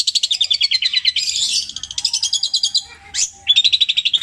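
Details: Long-tailed shrike kept as a songbird, imitating other birds with long repeated phrases: rapid high trills in runs, a brief buzzy upsweep, then another quick trilled series.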